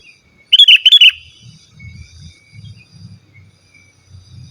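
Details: Sooty-headed bulbul in vigorous song, a pure recording for calling wild birds and as a tutor: one burst of about five loud, rolling whistled notes, followed by faint low rustling sounds.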